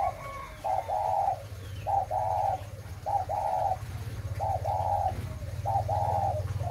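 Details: Spotted dove kept for breeding, 'mã phân hồng' type, singing a run of soft paired coos, a brief note followed by a longer one, repeated five times in quick succession above a constant low rumble.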